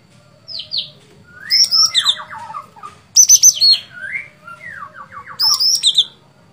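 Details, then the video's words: Sooty-headed bulbul in full song, mixing high, sharp two- and three-note whistled phrases with lower, quickly descending series of slurred notes, several phrases within a few seconds. "Cucak Cungkok Gacor Fighter"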